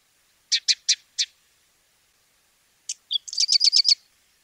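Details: Sedge Wren singing in Argentina: four sharp, dry, high notes evenly spaced, a pause, then a brief stutter leading into a rapid run of six buzzy, chattering notes, on a silent background.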